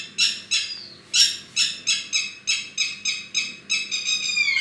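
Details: Bird song of loud, buzzy, harsh notes repeated roughly every third of a second, each a broad rasping burst, fading and rising in volume, with a low background hum.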